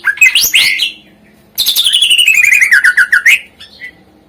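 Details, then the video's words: Greater green leafbird song played to prompt lazy birds to sing: a rising, rich warble, a short gap, then a long rapid trill of descending, buzzy whistled notes ending in a brief chirp. "suara isian masteran #cakijo gacor ampuh untuk pancingan burung yang malas bunyi"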